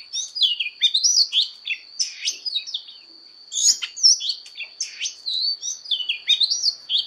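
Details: Oriental magpie-robin fighting song, voice training: lively bursts of rich whistles and down-slurred notes, a short pause near the middle, then fast varied phrases again, with a steady high hum behind.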